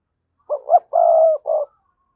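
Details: Low, soft spotted dove cooing used as a lure to make other doves call: two quick notes, then a held coo and a clipped final note, in a quiet setting.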